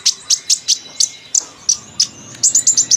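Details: Chattering ceriwis-style sunbird song with fill-in phrases: piercing high chips repeated about every quarter second, ending in a faster rattling series of the same sharp notes.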